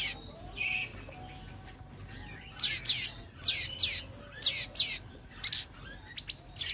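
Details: Cucak cungkok bulbul in a training recording for other birds: after a soft start, a lively run of clipped chirps about once a second, interleaved with short high piping whistles.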